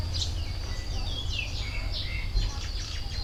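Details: Wild birds singing in nature beside the Mekong river: several high, sliding whistled notes and chirps over a steady low rumble of background noise.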